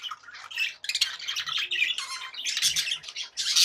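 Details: Budgerigars kept as pets giving happy chatter: rapid, harsh squawks and warbled notes run together almost without pause, bright and high, with loud bursts at the end.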